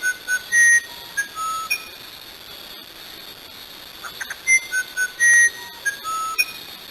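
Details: Musician wren (uirapuru) singing in the rain: clear, pure, flute-like whistled notes at shifting pitches, some short and some held, in phrases with brief pauses, over a steady background hiss.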